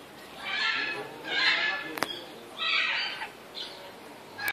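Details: Red-shouldered macaw kept as a captive pet bird: harsh, noisy squawks in broad bursts around one second long, three main outbursts with gaps between, and a sharp click near the middle.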